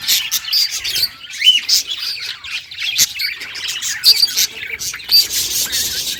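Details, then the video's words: Happy budgerigars warbling, fast chattering with a few pure whistled notes and squawky bursts, loud peaks scattered through. "Budgie singing happy | Birds chirping | Parakeet happy life"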